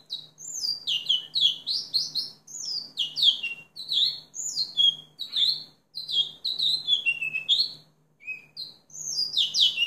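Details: Continuous house finch song: bursts of lively, tumbling warbles with sharp downslurs and chattering notes, separated by brief silences, a lone chirp near the end before singing resumes, all over a soft steady hum.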